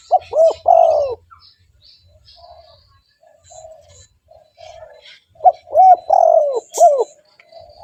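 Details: Cooing of a spotted dove, a call used to lure other doves: a short double coo leading into a long, slurred falling note, followed after a quiet gap by another such phrase; faint high chirps from other birds behind.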